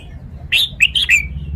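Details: A single crisp burst of song from a caged red-whiskered bulbul, four rapid whistled notes sliding up and down, over low background noise.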